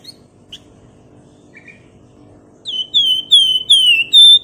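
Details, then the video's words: Flamboyan bird in nyiul style, meant to draw rivals into song: a few faint soft chips, then a run of five pure whistled notes, each gliding down in pitch, spaced roughly a third of a second apart. "PANCINGAN FLAMBOYAN GACOR NYIUL CRECETAN LAWAN IKUT NGEBREN"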